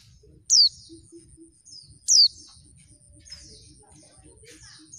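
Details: A female oriental white-eye, whose call is used to provoke males into singing, gives two sharp, very high chirps that drop in pitch, about a second and a half apart, with faint twittering and a steady high whine behind.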